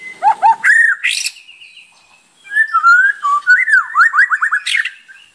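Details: White-rumped shama singing with a full repertoire, used as a lure: varied whistled phrases, low doubled notes, a bright upsweep, a short quiet stretch, then wavering slurs and quick rising notes.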